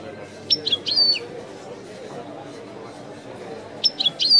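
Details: European goldfinch song in the Widani style, two short bursts of high, twanging, tinkling notes separated by a pause, with a constant low background rumble.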